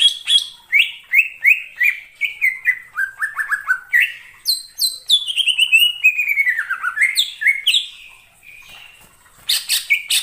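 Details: Greater green leafbird singing a lure song for bird trapping: a long series of quick descending whistled phrases, several per second, sliding from high to lower pitch, with a brief pause before a final burst.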